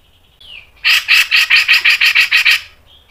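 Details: Grey-cheeked bulbul (cucak jenggot) in masteran style with tight speed. A single thin downslurred whistle is followed by a harsh, evenly pulsed series of about ten raspy notes.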